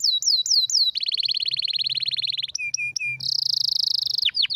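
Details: Rare, powerful canary song suited as a training master: quick repeated falling slurs, a long buzzy trill, short clipped notes, a high rolling trill and final steep downward sweeps, all delivered continuously.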